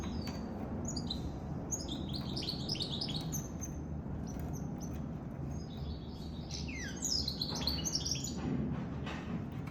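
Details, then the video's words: Hybrid goldfinch mule (goldfinch × canary) twittering a string of high, slurred chirps and downward-sliding notes over a steady low background rumble. "Goldfinch mule sirwitty bird"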